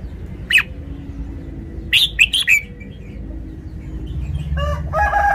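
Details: Red-whiskered bulbul gives a single whistled note, then a phrase of four rapid chirpy whistles, before a rooster's harsh crow rises loudly at the end.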